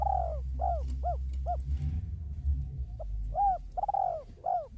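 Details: Zebra dove of the Bangkok type singing eagerly to lure other birds into calling. It gives arched, falling hoots in quick bursts of three or four with short pauses between, over steady low-pitched background noise.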